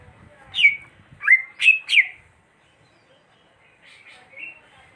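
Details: Greater green leafbird giving four loud, short whistled notes that drop and bend, then a pause and a fainter pair of notes ending in a soft whistle.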